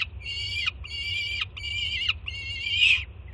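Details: Young peregrine falcon at a Jersey City nest cam screaming loudly in greeting as its mother arrives with food. Four drawn-out, grating screams, each about half a second long, end with a slight downward bend. A low hum is heard throughout.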